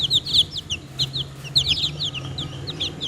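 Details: Chicks peeping in a busy chorus: bright, short, downward-sliding chirps overlapping at varied pace, with a low steady hum underneath.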